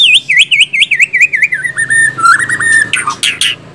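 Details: White-rumped shama repeating a looping whistled note about four times a second, then a drawn-out whistle and sharp high chips to finish.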